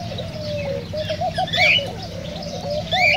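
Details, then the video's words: Whistling of cockatiels used to prompt mating: a couple of sharp rising whistles stand out over a continuous low, looping cooing murmur from other birds in the background. "تغريد كوكتيل"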